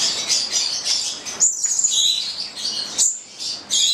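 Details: Nine-month-old Italian pair of Stella's lorikeets (goliathina) kept in captivity, uttering piercing, scratchy high screeches with thin whistled notes between pauses.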